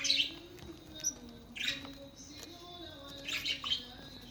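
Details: Budgerigars kept for breeding give scattered brief chirps and scratchy chattering bursts separated by pauses, against a steady low hum and faint household noise.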